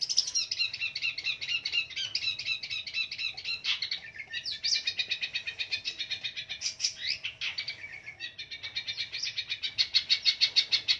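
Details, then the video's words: Long-tailed shrike kept as a fighter bird, singing a long, busy stream of rapid chattering notes and mimic-like phrases, with fast rhythmic trills near the end. "Burung pendet figther gacor dor full isian ediaaaaan...!!!"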